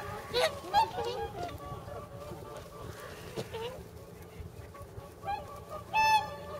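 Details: Whooper swans gathered at a pond in Nagamine, Nishiyama-machi, nearly 300 swans present, close to departing north; a few loud bugling honks near the start and end, fainter calls between, steady low rumble underneath.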